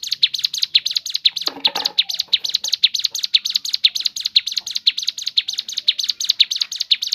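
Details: Rapid, high, chattering song of a crescent-chested babbler, notes tumbling in quick repeated pairs for several seconds, with a brief lower rustle or knock near the second mark.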